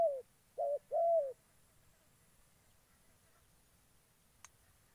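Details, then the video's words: Decoy spotted dove used for trapping wild doves in Gia Lai, Vietnam: one short clipped coo, then a brief and a longer low falling coo, followed by quiet with a faint click. "Bẩy chim cu gáy"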